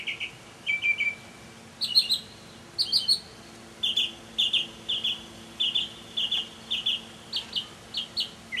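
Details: Evening song of a mockingbird, May 2007: a short trill, then bright doubled phrases, then a long series of sharp, repeated chip notes at slightly uneven intervals, nearly one per second.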